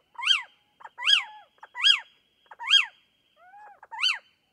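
A little owl gives sharp, yelping 'kiew' notes that rise and fall, about five in under five seconds, with a faint thin whistle between them.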